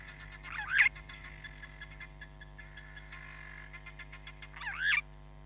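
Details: Hamerkop at Nkorho Bush Lodge, recorded by live camera on 31 July 2021: two loud, harsh swooping notes rising and falling, about four seconds apart, over a steady pulsing chorus of frogs.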